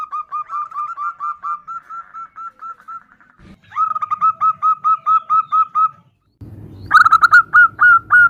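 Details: Female zebra dove calling the male, nutut style: series of quick, evenly spaced mid-pitched coo notes, several runs separated by brief gaps, with a soft thump and some low background noise.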